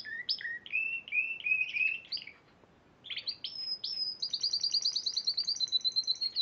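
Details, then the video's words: Competition-winning Spanish Timbrado canary from the March 2014 Piala Raja contest: a stuttering, bubbling trill, a brief pause, then sustained ringing high notes that shift into a fast, even, metallic roll. "Kenari Spanish Timbrado Juara Piala Raja Maret 2014"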